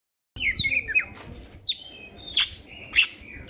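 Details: Greater green leafbird (cucak ijo) singing fairly actively, used as a lure to stimulate other birds; clear whistled notes, some sliding downward, a short rapid opening run, then separate bright whistles about every half second.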